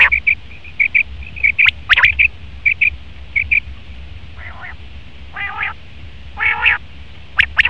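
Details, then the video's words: Male common quail: a run of short, clear, evenly pitched notes repeated about twice a second, then louder nasal, harmonic, buzzy phrases and a few sharp clicks near the end, over a low hum. "Best Common Quail Male sound/Nar batir ki awaz"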